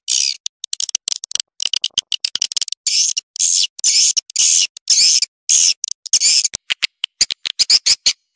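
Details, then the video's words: Call for luring swiftlets: harsh, buzzy, high chirr bursts of about half a second, separated by rapid, dry click series. "Suara Burung Walet Sp MJF 87 Panggil Burung Walet"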